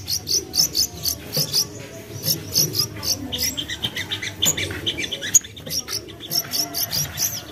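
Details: Young common iora as a singing lure: steady stream of high chirped notes, roughly two per second, some doubled, with faint chips in between.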